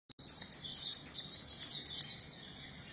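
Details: White-eye singing a rapid, high, sweet twitter of slurred notes run closely together for about three seconds, each note sliding downward, with a faint low hum beneath.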